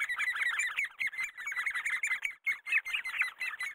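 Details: Great spotted woodpecker raising its young: dense, rapid squeaky chattering in an almost unbroken stream. A short pause comes partway through, then quick repeated harsh notes resume.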